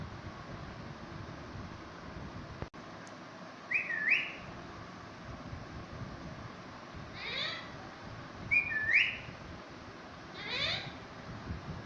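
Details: Talking parrot greeting a baby parrot: two clear, looping whistled phrases a few seconds apart, mixed with harsher, rasping bursts, over steady indoor background hiss and one sharp click.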